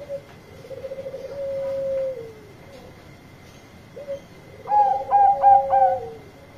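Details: Bangkok-type zebra dove with a loud song calling to companions. A long low purring trill ends in a downward slide, then a short note, then three loud, clear coos ring out in quick succession before a falling tail.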